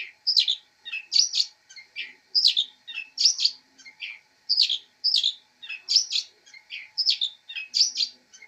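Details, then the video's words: Long-tailed shrike chirping as a master bird, described as a fighter: a steady stream of scratchy twittered phrases, each pair of notes repeated roughly every second for over eight seconds. "MASTER BIRD CHIRPING THE LONG TAILED SHRIKE"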